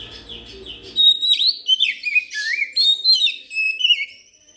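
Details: Oriental magpie-robin song used as a lure to trap birds and to prompt reluctant magpie-robins to sing: after a faint low hum, loud clear whistled phrases of rising and falling slurred notes, quickly varied and closely spaced.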